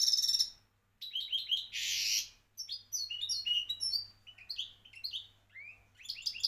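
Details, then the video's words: Champion European goldfinch from Morocco pouring out a long, varied song of rapid tinkling notes, a harsh buzzy burst, and sweeping down-slurred whistles, nearly continuous after a brief pause, with a faint low hum behind. "حسون لغة بطل المغرب"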